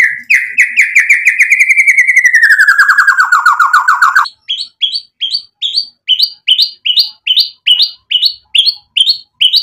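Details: Provocative white-rumped shama song: a long, fast, rattling trill that slowly drops in pitch over four seconds, followed by sharp upswept chips spaced roughly every half second.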